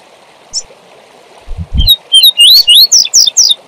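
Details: Double-collared seedeater in tui tui zel zel song for training young birds: a single chip, two low thumps, then a rapid string of about ten rising, ringing whistles over a steady hiss.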